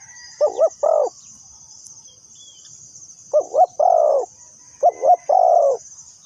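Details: Spotted dove used as a lure bird for trapping, giving three cooing phrases. Each phrase is two quick, clipped notes followed by one longer, drawn-out falling coo. A steady high insect drone runs throughout.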